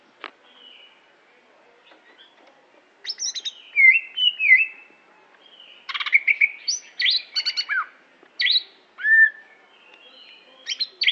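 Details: Caged greater green leafbird of the Aceh type sings after a near-silent start: looping whistled slurs, then a dense stretch of rapid chattering notes, sharp chips and short falling whistles.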